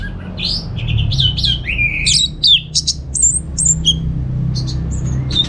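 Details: Orange-headed thrush kept at home in Singaraja, North Bali, singing as a lure and tutor for other songbirds: quick varied whistled phrases, rising and falling slurs and sharp high chips in a rapid stream over a steady low hum.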